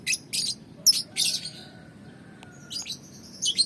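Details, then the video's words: Being sunned outdoors, a young lovebird (balibu) calls in quick harsh scratchy chirps, several bursts in the first second and a half, then a pause with a faint steady tone before more rasping notes. "Penjemuran Burung Lovebird Balibu"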